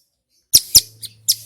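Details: Male Bar-winged prinia in loud song, used to provoke other prinias to respond: a few sharp, very high chirps in quick succession over a faint low hum.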